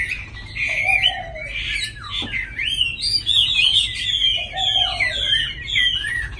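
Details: Tame caged Chinese hwamei from Hà Nội delivering a loud, varied song of rich whistled phrases that slide up and down, with brief pauses near two and four seconds and a lower warbled note underneath.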